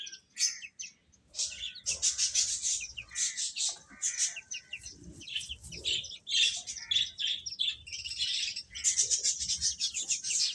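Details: Several baby chickens feeding make a constant shrill chorus of overlapping peeps and tweets in uneven bursts, with soft rustling underneath.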